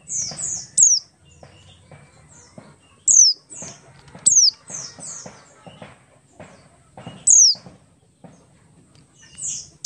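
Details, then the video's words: Oriental white-eye, Buxtoni form, in ngalas song used to trigger other white-eyes to sing: scattered sharp, high descending whistles in ones and twos, spaced irregularly, with softer faint notes and light clicks between. "pleci Buxtoni ngalas 12345 pancingan pleci bahan agar cepat bunyi"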